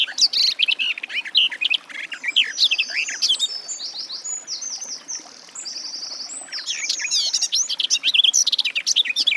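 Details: Garden warbler in full song: a dense, rapid babble of varied high notes, broken midway by a run of repeated buzzy, descending strokes before the fast warbling resumes.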